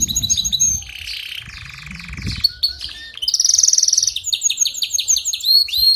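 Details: Canary song played to encourage a weak singer: a varied run of rapid buzzy trills, a long low rattling roll, then a bright high trill and clipped repeated whistles, with a faint low rumble early on.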